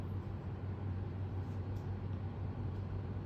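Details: Steady low rumble of a passing vehicle and road noise, with no animal sound heard.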